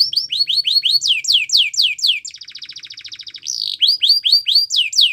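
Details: Powerful canary song for training: rapid rising whistled notes, then deeper descending slurs, a long even rattle, and a return to bright repeated whistles at about four notes a second.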